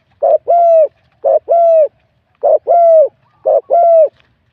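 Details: Wild-caught spotted dove entered in a cooing competition, 87 points, with a medium-to-large voice. It gives four crisp paired notes, a quick lead-in and a held mellow hoot, with a longer gap before the third phrase and a quiet background.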